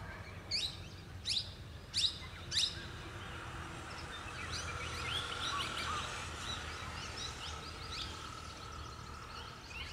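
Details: A female parakeet gives four shrill, sharp screeches about two-thirds of a second apart, then softer chattering over a steady hum and background noise.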